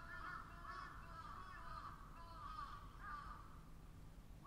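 Several crows give harsh, rasping caws in quick succession, about one or two a second, over a steady low rumble.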